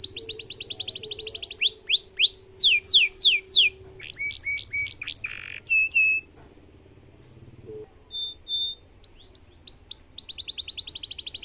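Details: Domestic canary singing in a varied, energetic style with ornate phrasing, used as a tutor song for young and adult canaries: rapid buzzy trills, repeated descending whistled slurs, short rising notes and a steady held tone, with a faint low hum beneath.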